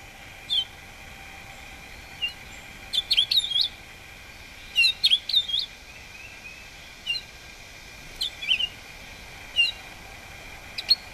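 A male house finch gives short bursts of bright, twittering high notes every second or two, over a steady faint background drone.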